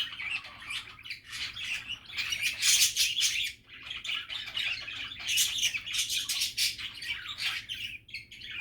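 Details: Nonstop budgie chatter, happy and relaxed, a thick overlapping stream of warbles, squeaks and rapid clicking chirps with occasional harsher squawks, never pausing.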